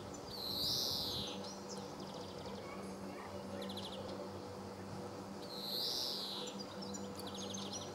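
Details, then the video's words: At Sabunike, Croatia, 26 July 2014, a male greenfinch gives two long, nasal, wheezy buzzes about five seconds apart, with short rapid chirpy trills near each one and a low steady hum beneath. "Ptice Hrvatske - Zelendur, mužjak (Chloris chloris) (Birds of Croatia - Greenfinch, male)"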